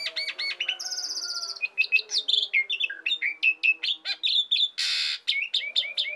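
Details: Asian pied starling singing hard, a recording used to provoke and teach songbirds: stuttered whistles and a high rattling trill, then a dense stream of short chirps broken by a loud harsh rasp.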